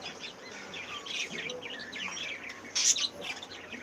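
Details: Breeding cockatiels awaiting new chicks give quick warbled, chattering phrases that rise and fall, ending in a louder harsh burst, over steady background chatter from other birds.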